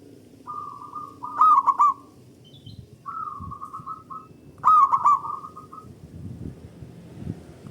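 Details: Local zebra dove singing to stimulate other doves: buzzy rolling trill phrases with loud stuttered three-note bursts repeated roughly every three seconds, faint rustling below.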